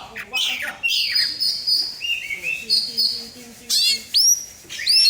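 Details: Song of an Oriental magpie-robin, used as a lure for other birds: sustained high whistled notes and falling slurs, then sharp rising upsweeps near the end, with faint low tonal sounds in the background.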